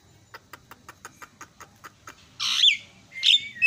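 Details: Myna sound played as a lure to make other mynas agitated and chatty: a string of sharp, evenly spaced clicks, then two loud, harsh, grating bursts.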